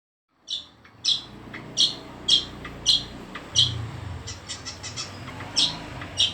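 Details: Long-tailed shrike singing in full voice: short, sharp chirps high in pitch, spaced about every half second to second, with a few fainter notes between them over a low background hum.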